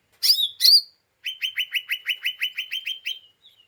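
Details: Lesser green leafbird, emotionally unstable and chattering to provoke others: two harsh rasping notes, a pause, then a rapid even series of about fourteen clipped chips.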